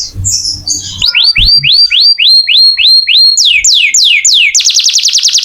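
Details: Canary singing as training audio for other songbirds: a long series of rising-then-falling whistled notes about four per second, shifting to steeper down-slurs and a fast rattle at the end.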